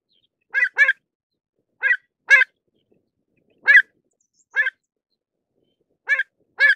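Pied avocet giving short, clear, slightly nasal notes, mostly in quick pairs, repeated about every one and a half seconds against a quiet background.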